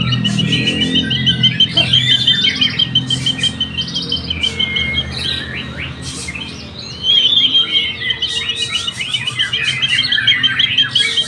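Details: Young white-rumped shama singing at a contest in Indonesia: long series of sharp repeated whistles and rattling trills, briefly pausing mid-phrase before resuming louder, with faint music and other birds behind.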